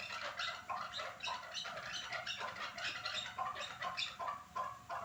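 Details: Chukars from Norak in a busy chorus of bright, scratchy clucks and chatter, notes tumbling rapidly and overlapping throughout.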